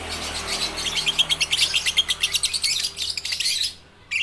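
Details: Young lovebirds still learning their song, meant to prompt reluctant lovebirds to sing: a steady, rapid stream of high buzzy chirps, roughly six per second, which stops abruptly near the end.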